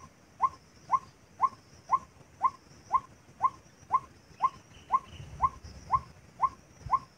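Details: White-breasted waterhen calling for a trapping lure, a monotonous series of short upward-inflected notes at an even half-second rhythm, about fifteen in all, with faint low rumbling near the end.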